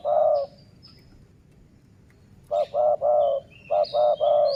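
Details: City-line decoy dove utters one coo phrase, a pause, then two rapid phrases of short notes ending in longer low coos; faint high whistles of other birds overhead.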